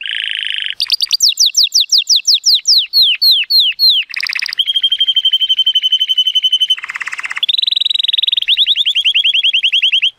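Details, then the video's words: Male Timbrado Español canary born in 2018, rated 83 points, in powerful song on a sunny day: a buzzy burst, quick falling sweeps, a sustained metallic trill, a harsh rattle, then a long rapid rolling trill. "The most PLEASANT Canary training song"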